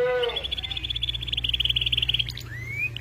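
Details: Canary in full gacor song with melodious cengkok phrasing: a short low whistle, then a long fast buzzy trill of even pulses held high, ending in a clean rising whistled slur. A low steady hum sits underneath.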